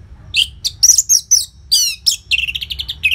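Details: Orange-headed thrush in loud, varied song with short pauses: sharp high notes, a buzzy down-slurred phrase, then a quick rattling series of rapid, evenly repeated chips.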